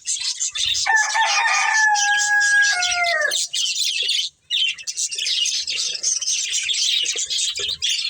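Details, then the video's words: Breeding pair of budgerigars chirping: dense, high, scratchy chatter runs almost without pause, with a few longer, tonal, slightly falling calls early on. There is a brief silence near the middle. "Cute Budgies Chirping Sounds"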